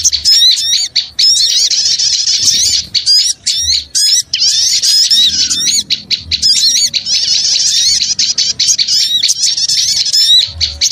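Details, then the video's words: Small birds in a noisy lure recording, chattering nonstop in overlapping high squeaks, sweeping whistles and buzzy trills, with rhythmic pulses of sharp notes between denser bursts. "Suara Pikat Burung Kecil Ribut Ampuh"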